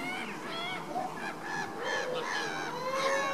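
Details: Caribbean flamingos at baseline activity, giving overlapping nasal, honking calls with stacked harmonics, several voices calling at once in a steady chorus with no gaps.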